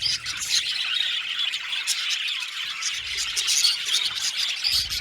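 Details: Aviary colony of 70 budgerigar pairs producing constant high-pitched squawks and chirps, layered and overlapping, with brief low rumbles near the start and end.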